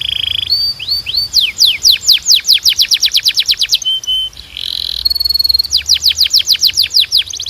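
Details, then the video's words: Canary singing to train other canaries: rising slurs accelerating into a long series of steep descending sweeps, a brief flat whistle and buzz, then another fast run of sweeps. "Melhor Som de Canário Para Treinar"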